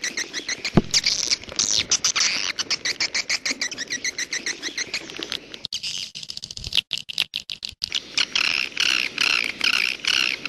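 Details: Edible-nest swiftlet calls in the 'jaguar' style: dense, rapid high chirps and twitters in quick bursts, mixed with sharp dry clicks, with a brief pause in the chatter midway.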